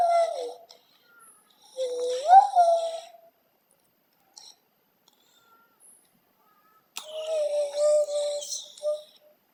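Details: Parrot indoors making scattered speech-like utterances: a falling syllable, a rising drawn-out sound, a long silence with faint ticks, then a longer harsh, voice-like phrase.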